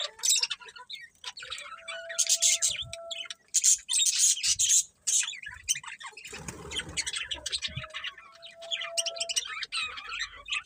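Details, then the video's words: A group of budgerigars chattering, high rapid chirps and squawky bursts coming in waves, with a faint steady tone underneath and a short noisy break midway. "Beautiful Budgies Chirping Sounds"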